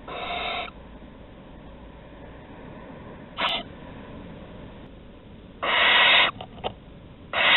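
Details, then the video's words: Barn owls at Théding, France, on a nest webcam on 15 August 2020, with prey delivered at the entrance; loud rasping hisses at the start and end, with a brief burst and a few sharp clicks between them. "Livraisons à l'entrée - 15/08/2020 - Les Chouettes Effraies de Théding"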